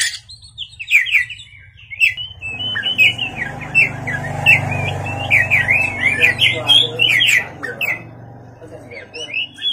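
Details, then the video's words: At night, an Oriental magpie-robin sings energetically over a steady low hum: a dense string of quick, sharp, rising and falling whistled notes, lasting most of the recording before tailing off. "pancingan kacer gacor malam hari"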